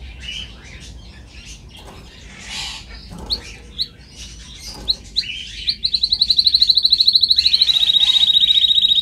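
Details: Canary song from a training recording: scattered soft chirps and sharp ticks, then a sustained, even rolling trill of quick repeated notes. The trill runs about three seconds and steps slightly lower midway.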